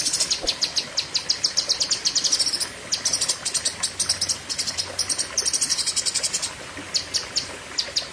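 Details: Fierce 'pedes panjang' singing from a cucak kinoi leafbird: repeated high, sharp notes in fast bursts broken by short gaps, over a faint background hiss.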